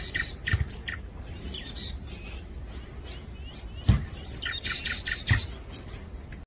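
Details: Sunday morning on Wonmisan, Bucheon, South Korea: a Grey-backed Thrush sings bright, varied whistled phrases amid the high, thin chirps of marsh tits.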